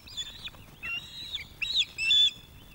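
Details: Female osprey NC0 at a webcam nest at Loch of the Lowes, 2024, food begging to encourage a young male to bring fish; short whistled chirps, then longer high piping notes rising in strength.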